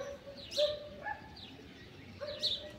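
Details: Blue-winged macaws, wild free-flying birds, calling at dusk; a few harsh, rasping squawks spaced about two seconds apart over a quiet background.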